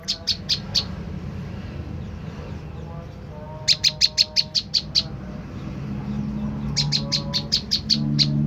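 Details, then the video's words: Tailorbird (prenjak lumut) lure call used to draw a reply. Three bursts of rapid, sharp, high chips, each run of about four to nine notes, separated by pauses, over a low background hum. "putar suara prenjak lumut ini dijamin prenjak stres//macet bunyi langsung nyaut"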